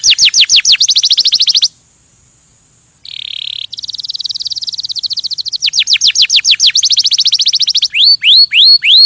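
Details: Canary song played to stimulate other birds: quick trills of short descending notes, a pause, a brief buzzy tone, long rolling trills, and a few rising-falling whistles at the end.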